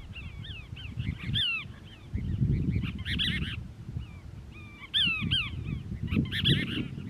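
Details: Cassin's Kingbird perched on a castor bean shrub at Crystal Cove State Park, Moro Canyon, California, on 19 December 2021, one of a family group; bursts of harsh, arched, downslurred notes in irregular clusters over low rumbling wind noise.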